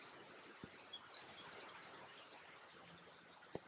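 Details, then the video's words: Cedar Waxwings in a small group at Léon Provancher marsh, soft whistled song: one thin, high sustained whistle lasting about half a second, with scattered faint chips from other birds and a quiet outdoor background. "Jaseur d'Amérique, chant / Cedar Waxwing, song"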